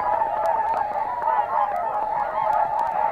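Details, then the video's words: Flock of Whooper Swans at Matsalu, USSR, captured in 1979; continuous loud bugling honks from many birds layered together, nasal and mid-pitched, with no gaps across the few seconds. "Whooper Swan"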